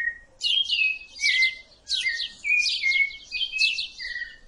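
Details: Song of a rufous-bellied thrush: after a short opening whistle, dense bursts of steep downward-sweeping notes alternate with smooth gliding whistles in a lively, unbroken stream.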